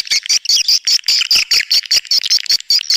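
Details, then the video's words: Swiftlet attraction call: a steady, rhythmic stream of sharp, chirpy high pulses, roughly two or three per second, each with a buzzy, metallic edge. "SUARA PANGGIL WALET"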